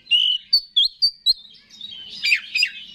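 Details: Oriental magpie-robin singing to rouse rival males; a drawn-out whistle followed by short clear piping notes, then a harsher scratchy phrase, with a soft hum behind.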